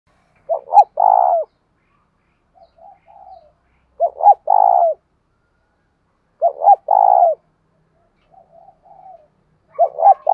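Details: Spotted dove, called cu gáy, calling in the deep thổ sấm voice style used as a lure: low hoarse cooing phrases of two quick notes and a longer rolling coo, repeated about every three seconds with soft trailing murmurs between.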